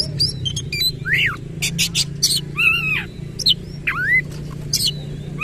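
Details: Oriental magpie-robin singing actively in rapid rolling bursts with its tail fully spread: scattered clear whistles, some sliding up and down, mixed with sharp short notes, over a steady low hum.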